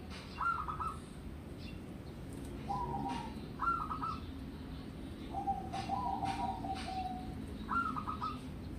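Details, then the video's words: Hand-raised local zebra dove of wild stock singing: short stuttered cooing phrases repeat every two to three seconds, mixed with a longer rolling coo, above a constant low background hum. "Pancingan Pekutut Lokal Manggung, Perkutut Lokal Alam, Lokal suara kecil, Lokal suara MP3"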